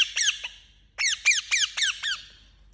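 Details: A pet Indian ringneck parakeet utters a few short, rasping squawks, pauses briefly, then lets out a tight burst of five loud, grating, downslurred screeches.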